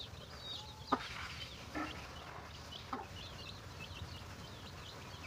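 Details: Chicken finding food for its chicks gives a few soft, widely spaced clucks. Faint high chick peeping runs quietly throughout.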